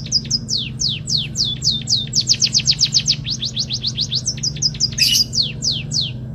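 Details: Munia singing its learned canary song: varied high, down-sweeping whistled notes, bunched into quick trills mid-phrase, with one brief harsh burst and a low steady hum beneath.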